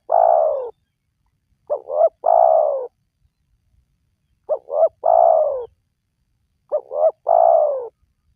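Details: Spotted dove voice used for luring wild doves: a long falling coo, then two complete phrases of double short coos and an extended husky coo, spaced about two and a half seconds apart.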